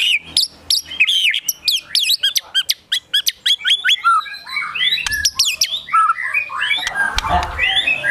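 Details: Agitated White-rumped shama in full song, with besetan (rapid sweeping) phrases and tembakan (shooting notes) that imitate sogon and kunti birds: sharp whistled sweeps and fast chattering notes, then a dense, noisy jumble of mixed phrases.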